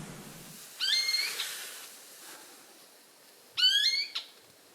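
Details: A male Eared Quetzal approaching its nest in high-elevation mixed-conifer forest, Sierra Madre Occidental, Chihuahua, Mexico, in August gives its loud contact call: two squealing, upslurred calls about three seconds apart, bright and harsh; otherwise quiet.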